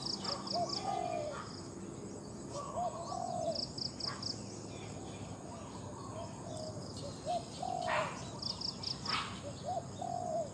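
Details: Spotted dove competition calling: low hollow coos in short phrases of two to three notes with pauses between, over steady insect hiss and bright high rapid chirps from another bird.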